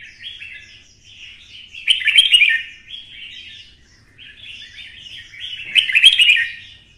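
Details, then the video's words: Red-whiskered bulbul in full fighting song after being stimulated, in the twisting-voice style: two long, rich, bubbling phrases of rolling whistles, each swelling to a loud, rasping climax, with quieter chatter between them. "CHÀO MÀO | Giọng xoắn - Kích chim xổ bọng căng lửa hót đấu"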